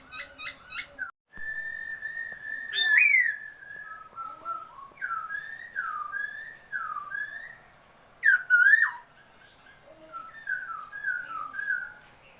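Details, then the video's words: Song of a new laughingthrush, dated 27 February 2022: sharp opening notes, a long even whistle, then chains of looping, undulating whistled notes, broken by one loud harsh burst. "noog sab hwj quaj, noog tshiab xwb(khướu mun hót chim mới)"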